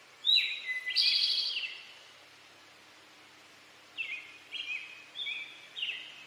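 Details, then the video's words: Male Eastern towhee giving its "drink your tea" song: two clear opening notes, the second lower, then a loud buzzy trill; after a pause come four short, downward-slurred whistled notes. Quiet background. "Eastern towhee song | Drink your tea"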